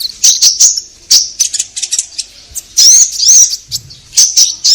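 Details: Orange-headed thrush singing continuously, played to prompt caged birds to sing: loud, high, varied phrases of sweet whistles and rising slurred notes broken by sharp chips and short pauses.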